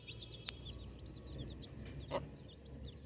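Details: Baby chicks peeping softly, many high, thin, downward-slurred chirps overlapping steadily throughout, over a low background rumble with a couple of sharp clicks.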